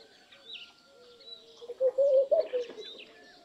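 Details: Laughing dove song: a low, rolling, bubbling run of quick soft coos that rises and falls over about one second, with other birds chirping higher and faintly behind it.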